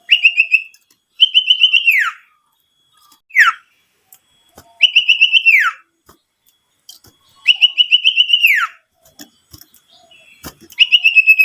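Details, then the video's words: Lure call of an owlet, used to make other owlets call and to draw in wild birds. Repeated whistled phrases, each a throbbing, steady-pitched tone that drops sharply at the end, with one short falling note between them. "Pancingan burung sirtu super gacor"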